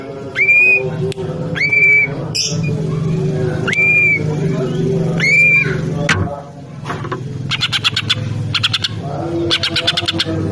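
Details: Captive female greater green leafbird of the Banyuwangi type, used to stimulate other leafbirds. Spaced upward-sweeping whistles, then rapid high chattering bursts, over a steady low hum.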